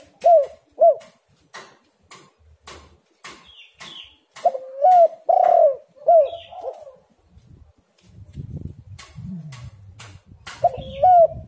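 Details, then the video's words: Spotted dove cooing, used as a lure to make doves call. Short paired coos and a stronger phrase of accented hoots over regular sharp clicks, then low rumbling noise before a final coo. "tekukur super gacor buktikan"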